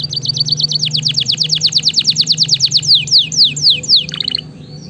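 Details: Canary singing to coach and stimulate a silent canary: a rapid trill leading into long series of downslurred whistles that slow toward the end, with a low steady hum beneath.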